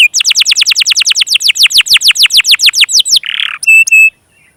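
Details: Canary singing as a lure for young canaries and those that have stopped singing: a quick series of downslurred notes repeated about six times a second, a harsh buzz, then two clear whistles.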